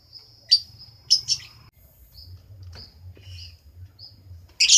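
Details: Sharp, shrill lovebird chirps in a quick pair and cluster, then softer scattered squeaks and a final loud harsh burst, against a low rumbling background hum.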